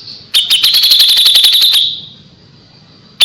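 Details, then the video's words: A tutor recording of kapas tembak for white-rumped shama: a quick volley of about fifteen shrill, evenly spaced high notes lasting over a second, fading out, then one more sharp note at the end. "KAPAS TEMBAK GACOR JEDA RAPET"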